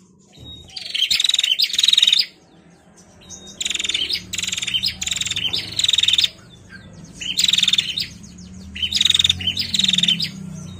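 A female bar-winged prinia gives bursts of rapid, high, buzzy chattering notes, each about a second long and repeated every two seconds, over a faint low hum.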